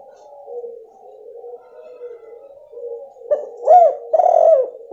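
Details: Female spotted dove giving a lure call to rouse a male that has stopped calling; soft low murmuring for three seconds, then a short burst of two or three throaty coos.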